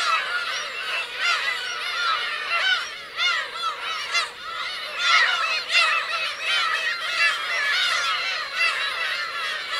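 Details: Black-tailed gull parents and chicks on Teuri Island's Kurosaki coast, Hokkaido, 17 June 2021; many short, arched, mewing cries overlap in a busy chorus that pulses louder and softer for about ten seconds.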